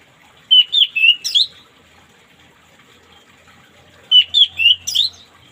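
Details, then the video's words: Morning song of an orange-headed thrush, used as therapy for a bird that won't sing: two short phrases of four or five clear, slurred whistles, about three and a half seconds apart, with faint low hum. "terapi burung anis merah macet di pagi hari biar cepat ngplong"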